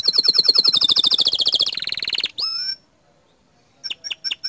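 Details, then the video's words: Green canary tutor song with 'tembakan' shots said to provoke other canaries: a loud, fast rattling trill that slides slightly downward, a brief buzz, one sweeping whistle, silence, then four spaced sharp chips. "Masteran Kicau Kenari Warna Hijau Botol Suara Tembakan nya Bikin Emosi Kenari Lain"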